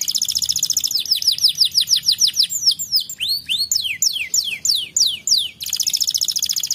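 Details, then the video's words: Canary song played to stimulate a lazy canary into singing: a rapid buzzy trill of high downward-sweeping notes, then slower, separate descending whistles and zigzag phrases, closing with another fast rolling trill. "estimulando o som do chilrear do canário preguiçoso"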